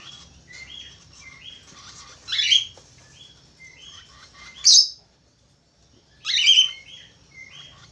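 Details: Budgerigar chatter and whistling song, a steady stream of short whistled notes broken by three loud harsh chirp bursts a couple of seconds apart.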